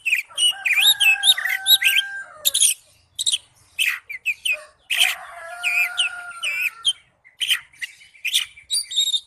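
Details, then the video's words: Loud kacer, an Oriental magpie-robin, in ngipas style: dense chirps and rapid varied notes mixed with two long, steady, level whistles, one near the start and another midway, then further scattered sharp calls. "Suara burung kacer ngipas thes best plong"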